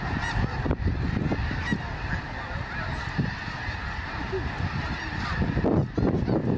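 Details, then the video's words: Snow geese on Fir Island, Washington, in February, taking flight together after an eagle flew over; a dense chorus of overlapping honks and wingbeat rumble, with strong low-frequency noise throughout. "Snow geese take flight"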